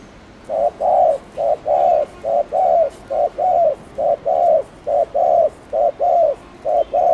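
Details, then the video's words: Spotted dove in the Thổ Đồng style, with chiêu and gù calls used to stir young doves into cooing. Steady run of short paired hoots, a brief note then a longer one, repeated about once a second. "Cu gáy Thổ Đồng kích bổi nhanh nổi/Chim cu gáy Chiêu + Gù kích bổi ức chế mau gáy"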